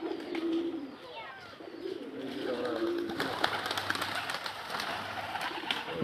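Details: Local desi pigeon giving low, soft cooing notes, three short coos near the start and around two and three seconds, over steady background hiss and noise.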